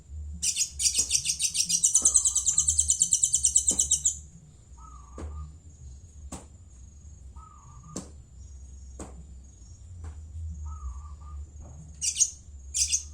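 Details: Madura long-tailed shrike producing a long, harsh, rapidly pulsed grating chatter for about four seconds, then sparse clicks and a few short low tones, ending with two brief harsh bursts.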